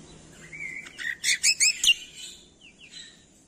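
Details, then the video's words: Greater green leafbird song for songbird training: a thin rising whistle, then four loud rhythmic chirping notes, followed by a few soft sliding whistles fading out. "MASTERAN CUCAK KOMBO - PANCINGAN MALAS BUNYI SEKALI DENGAR LANGSUNG NYAUT"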